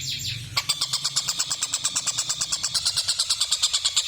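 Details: Tengkek buta kingfisher giving its cackling call, a fast steady run of raspy, high notes, roughly three per second, after a short burst of lower noise at the opening.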